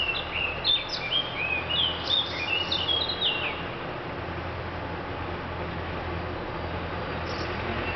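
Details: A thrush sings a short burst of varied, bright whistled phrases for about three seconds, then falls silent, leaving steady low outdoor rumble and hiss.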